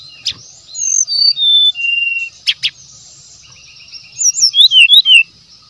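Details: Brown-chested jungle flycatcher lure song: separate level whistled notes stepping down in pitch, two sharp clicks, a low steady whistle, then a quick cluster of looping falling notes, with a high thin whine throughout.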